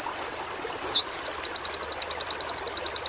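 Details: Stimulation audio for white-eyes: jumbled high slurred notes quickly settle into a long, fast, evenly spaced chain of identical shrill notes repeated several times a second.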